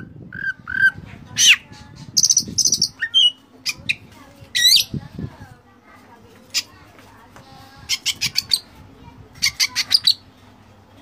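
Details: Oriental magpie-robin song rich in mimicked elements. Scattered high chirps, a buzzy note and quick whistled phrases come in loose bursts over a faint low murmur.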